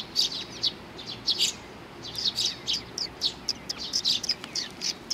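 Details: Several Eurasian tree sparrows at Mizukami Bridge, 4 June 2020, coming in for food; dense clusters of sharp, high chirps with brief pauses between groups.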